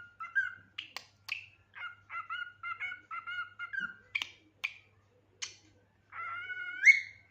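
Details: Pet cockatiel calling in a rapid run of short harmonic chirps, several repeated in even pairs and triplets, with brief sharp notes between and a longer rising whistled screech at the end; quiet room, no other sounds.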